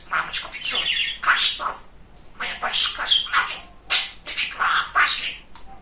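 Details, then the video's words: Very chatty male budgerigar kept as a pet, babbling in quick scratchy bursts of imitated speech mixed with sharp whistled notes, in short phrases separated by brief gaps. "Говорящий Волнистый Попугайчик"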